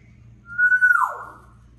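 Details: Talking African grey parrot calling out its own name, with spoken words just before and after. It gives a single clear, level whistle that slides steeply downward into a fading, breathy tail.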